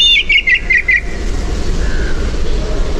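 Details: Song Thrush giving a brief run of about five quickly repeated whistled notes, then falling quiet. Steady low background rumble continues afterwards.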